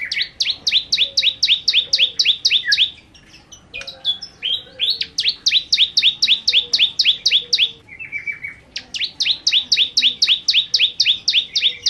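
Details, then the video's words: Bar-winged prinia in sustained, lively song: long bursts of rapid, high, ticking and downslurred chips, three sequences over twelve seconds with brief pauses, a few lower whistles in the gaps. "Ciblek Kristal Gacor Nembak Nembak"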